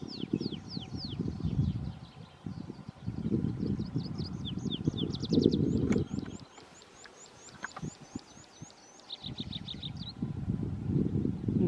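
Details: Eurasian skylark's high, rapid early-morning song of chirps, trills and slurred whistles over a steady low rumble.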